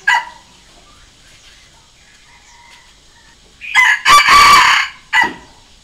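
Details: Decoy Red junglefowl crow meant to draw wild junglefowl. A faint note sounds at the start, then after a long quiet gap a full crow follows: short note, long harsh phrase, and a clipped final syllable.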